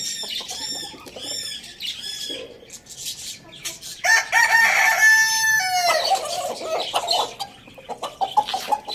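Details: Roosters feeding on tomatoes in a farm village; one gives a strong, drawn-out crow lasting nearly two seconds and ending in a falling tail, preceded by repeated harmonic cackling calls and followed by softer clucks.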